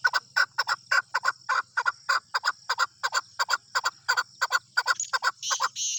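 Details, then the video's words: Free-roaming tame male chukar outdoors calling a steady train of sharp chuck notes, about three per second, with some rushing hiss bursts near the end. "Keklik Sesi || Chukar Desi Chakor ki Awaz"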